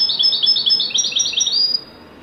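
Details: European goldfinch in full wedani-style song: fast, repeated, bright twittering notes for nearly two seconds, ending on a thin sustained high note, then silence.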